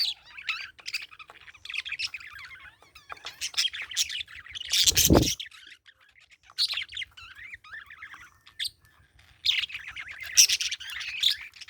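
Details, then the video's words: Parakeet giving scattered high chirps and chattering twitters, broken midway by one loud, harsh, broadband burst, then more chirp clusters with quiet gaps. "Parakeet Chirping Sound"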